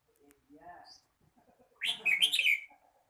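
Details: Red-whiskered bulbul singing: a brief, loud warbled whistle phrase of slurred bright notes, preceded by soft low human murmuring and faint clicks.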